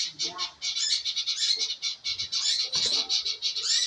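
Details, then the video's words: Scarlet minivet lure sound used to prompt singing. A rapid stream of high, sharp pulsed notes, about five per second, runs almost without pause through the whole stretch. "pancingan burung manggaran agar maun bunyi"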